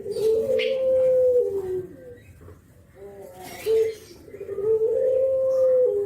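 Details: Nodding Javan spotted dove giving 'kuk geruk' lure calls: a long loud drawn-out coo falling at its end, a quiet gap, a short clipped note, then another long sustained coo.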